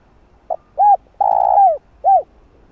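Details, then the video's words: Spotted dove in a voice suited to wild doves, played as a lure: a faint short note, an arched hoot, a long buzzy coo sliding downward, then another arched hoot, with near silence around. "Cu Gáy Giọng Hạp Bổi Bài Bản | GÁY GỌI + THÚC + Gù | Kích Cu Gáy Bổi Gáy"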